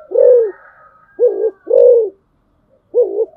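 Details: Spotted dove used as a decoy calls in a well-practised pattern, four deep rounded coos in quick succession, the third the longest, with a faint whistle-like tone behind.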